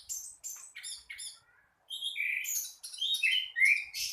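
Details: Morning song of an orange-headed thrush: clipped high chirps in quick groups, a brief gap, then louder varied whistled phrases sliding up and down, with sharp notes mixed in and no other clear sounds.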